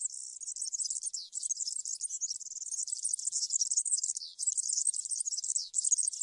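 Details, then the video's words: European serin singing in the field style known in Spanish as cante campero, used to teach young birds to sing: a continuous, very high, fast, buzzy jingle of tightly packed twittering notes with hardly a pause, briefly dipping lower in places. "𝗩𝗘𝗥𝗗𝗘𝗖𝗜𝗟𝗟𝗢 𝗖𝗔𝗡𝗧𝗔𝗡𝗗𝗢 𝗖𝗔𝗠𝗣𝗘𝗥𝗢"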